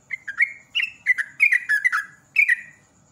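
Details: Sooty-headed bulbul in the lively rolling "ropel" style used as a lure for other birds: bubbly, slurred whistled phrases falling in pitch, given in quick bursts of two to four notes.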